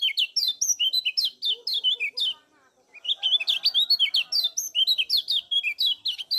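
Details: Lemon-bellied white-eye (kecial kuning) from Lombok in full, lively 'ciak' chatter used as a lure to stimulate other birds: rapid bursts of high, sharp, twittering notes zigzagging up and down, with a brief pause midway.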